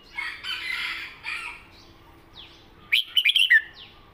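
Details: Southern-style 'met kajik hok' song from a caged red-whiskered bulbul. Softer chattering leads into a sharp phrase of five bright whistled notes, ending in a descending slur, with a brief upward note after.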